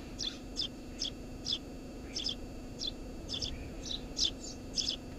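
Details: Eurasian tree sparrow nesting under a house roof, giving sharp bright chirps roughly every half second, some doubled, against a constant low droning background.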